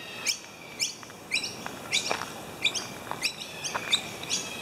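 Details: Noisy miners mobbing a slender whip snake, ushering it across a footpath: sharp, harsh chips roughly twice a second, loud and insistent, with fainter answering calls behind.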